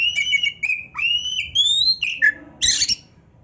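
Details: Oriental magpie-robin (kacer) singing 'gacor' with full filler phrases for training other birds: steady whistled phrases climbing gradually higher, a brief dropping note, then a harsh scratchy burst before fading.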